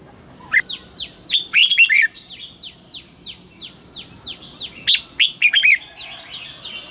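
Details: Red-whiskered bulbul morning song with wild double notes, played to train caged birds: loud warbled phrases stand out over a steady series of soft, downslurred whistled notes from another bird repeated about twice per second.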